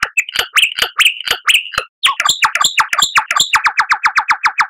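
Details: Lyrebird song offered as training material for caged songbirds to learn from: sharp clicking notes with rising whistles, then a fast steady series of loud chipping notes about five per second.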